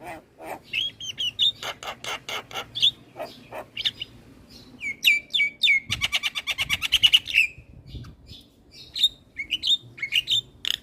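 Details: Javan myna singing vigorously as a tutor for other mynas: an evenly repeated chattering series of harsh notes, a rapid buzzy rattle, then a few clear whistled chirps.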